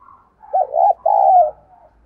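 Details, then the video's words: Cooing lure spotted dove used to call in wild doves: one strong, hollow phrase of a short arched note run into a long, even, slightly descending coo, with a faint low rumble underneath. "Chim Cu Mồi Đẹp Mã Thúc Và Gáy Gọi Bổi Căng Đét"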